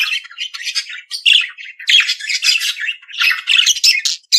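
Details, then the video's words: Continuous budgerigar warble: rapid, scratchy chatter mixed with squeaky notes, almost without pause. "periquito Austráliano/deixe seus pássaros 🐦 mais animado."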